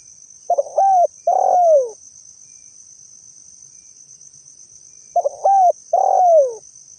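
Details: Lure call of a spotted dove, two paired coo phrases about five seconds apart, each a short stuttered note then a longer falling coo; faint continuous high hiss behind.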